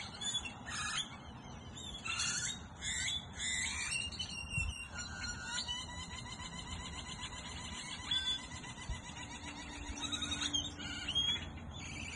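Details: Many wild birds chirping together at sunset in Goodyear, Arizona: dense high twittering and repeated short chirps in irregular bursts, with a steady low background rumble throughout.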